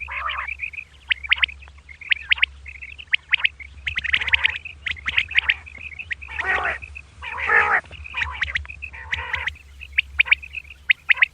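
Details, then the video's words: Female common quail heard at dawn, giving scattered sharp chirps and a thin sustained whistle, with several loud, broad harsh bursts in the middle and a low hum throughout. "Female Batair Calling | Suba Lagaty waqte Ki Awazay| Batair Ki Awaz Suba ki liye|Common Quail Calls"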